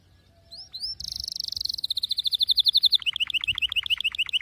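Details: A canary sings in the Lasskot style: two short rising whistles, a long rolled buzzy trill, a run of quick pulsed notes, then clipped descending chips repeated about four per second.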